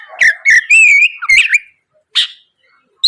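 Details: Oriental magpie-robin morning song as a lure for rival birds: chips leading into a long steady whistle, followed by a harsh rasping note.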